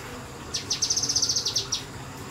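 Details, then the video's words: Kinoi bird in semi-wild conditions giving one short 'nembak' burst, roughly a dozen rapid, high, sharp chirps in just over a second. "BURUNG KINOI NEMBAK NEMBAK DI SEMI ALAM"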